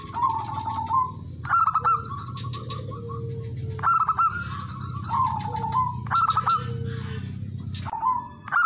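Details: Local male zebra dove calling rivals, used as a lure to draw others into singing: repeated phrases of sharp high notes, each running into a rolling, wavering trill, with pauses of one to two seconds between phrases.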